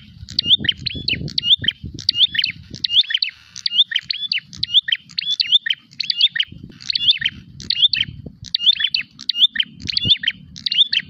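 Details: Prinia calling to fight a rival repeats sharp, high, buzzy-edged chirp groups in a regular rhythm, with low rumbling noise at the start and near the end.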